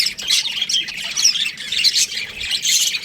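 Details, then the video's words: Baby budgies in an aviary give steady, shrill squawking chatter, many overlapping high chirps with occasional sharper whistled peaks. "Baby Budgies Chirping Sounds | Amazing budgies aviary"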